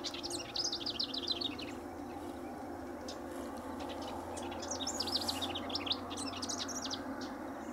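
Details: House Wren singing persistently by a riparian area at Linscomb W.A.; a fast jumbled burst of high chattering notes opens, then a second rattling, bubbling phrase follows after a pause, over constant low hum.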